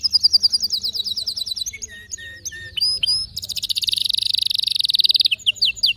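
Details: Canary song in several tours: rapid descending chip series, slurred whistles and sharp upsweeps, then a long fast buzzy trill lasting about two seconds, over a faint low hum.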